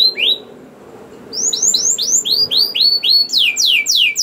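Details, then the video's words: Canary in full 'gacor' lure song, used to get other canaries singing: a quick string of high, downward-sliding whistled notes, sparse at first, then denser and faster toward the end. "Langsung Nyaut Gacor Dor Kenari Apa Pun Dengan Pancingan Kenar Gacor Ini || Voice of Canary"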